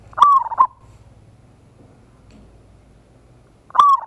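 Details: Zebra dove of a local strain giving a big-voiced lure song meant to provoke a quick reply. A clicking, rolling coo phrase opens the clip, followed by quiet, then the same phrase returns near the end.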